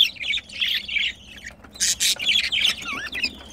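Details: Budgerigars mating: chattering warble, then loud scratchy squawks and a few whistled slurred notes toward the end.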